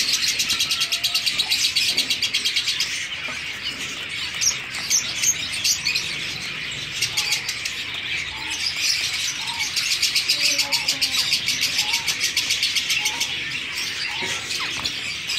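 A colony of zebra finches chatters constantly, with short nasal beeps over a dense high twittering.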